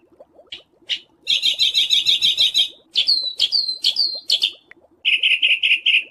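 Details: Harsh 'besetan kasar' material meant to teach pet and contest songbirds: two short sharp notes, a loud grating rattle, three falling whistles, then a rapid buzzy trill, with soft chattering underneath.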